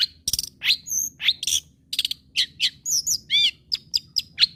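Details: Long-tailed shrike singing actively to stimulate other shrikes to keep singing; harsh raspy notes alternate with high whistles and arched slurred notes, delivered in a jumpy, varied sequence.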